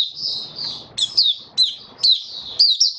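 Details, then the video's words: White-eye (Mata Puteh) kept in a cage, singing: high buzzy warbled phrases broken by sharp downslurred chips roughly every half second, with faint low background hum. "Mata Puteh Raja Stablizing his form buka sing"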